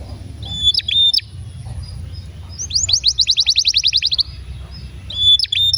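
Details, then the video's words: Canary singing as a prompt for young or silent canaries: clipped high whistled notes, then a rapid rattling trill of many descending notes, and more whistled notes after a short gap. "Pancingan Kenari gacor panjang"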